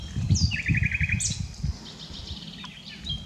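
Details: Common nightingale song, unedited: a clear falling whistle, then a fast trill of identical notes, a sharp upward sweep and softer high notes. Low rumble in the background.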